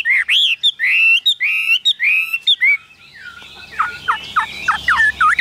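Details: Caged Chinese hwamei singing loud whistled phrases, some with rising slurs, for about three seconds, then quieter, quickly repeated slurred notes.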